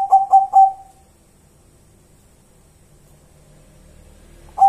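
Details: Local wild zebra dove (perkutut) calling: three brisk, soft coos at the start trail into a short held note, followed by near-silence until a single coo returns at the very end.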